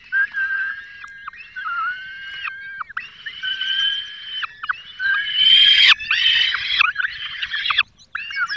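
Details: Peregrine falcons at a nest in the Barycz Valley on 5 May 2022, the male bringing a small bird and the female feeding chicks; long, drawn-out harmonic wails with flat tones, joined later by harsher, noisy screeching.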